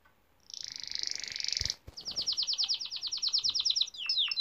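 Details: Male canary song used for teaching young canaries and stimulating females: a fast, even buzzy trill of rapid pulses about one second long, a brief break, then a run of quick descending chirped notes ending in sharper falling notes.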